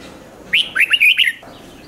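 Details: Caged Red-whiskered bulbul 'rik' song meant to stir other birds: a single fast, loud phrase of about six liquid, slurred notes, half a second long, over a quiet background.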